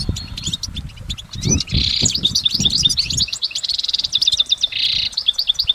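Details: Nonstop goldfinch song recorded in nature, starting with sparse chirps, then thick buzzy passages alternating with fast tinkling twitters; low rumble fades midway.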